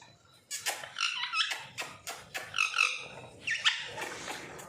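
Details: A pet talking parrot at home, kept for two years, chatters in bright, squawky bursts, several short speech-like phrases over about four seconds, with harsh overtones and sharp rising notes.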